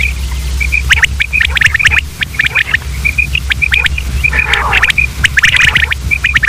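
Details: Common quail calling: short, clear, high notes repeated in quick pairs and triplets through the clip, over dense clicking and scratching noises and a low steady hum.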